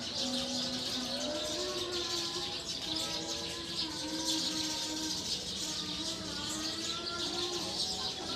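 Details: Wild Eurasian tree sparrows gathered in a tree at roosting time, ceaseless high chirps from many birds over sustained, gently wavering lower tones.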